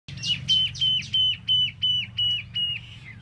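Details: Tieu mi bird kept for solo singing, giving a clear whistled phrase of about eight similar sharp notes, each falling slightly, repeated about three times a second with a steady rhythm over a low background hum.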